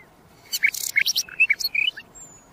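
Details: Common nightingale delivering a dense phrase: harsh broadband rattles mixed with short clear whistled notes at varied pitches, ending in a rising slur and a thin high whistle fading out.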